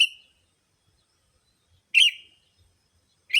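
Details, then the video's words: Sooty-headed bulbul lure calls meant to draw in bulbuls: a single loud chirp with a short trailing slur sits between the edges of neighbouring notes, with near-silent gaps. "Suara Burung Pikat Kutilamg Masteran Paling Cocok Semua Jenis Burung Kutilang"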